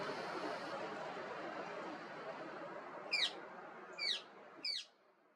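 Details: Indian ringneck parrot squawking: three harsh, high, downward-sweeping squawks spaced roughly a second apart, following a stretch of steady hiss that fades out.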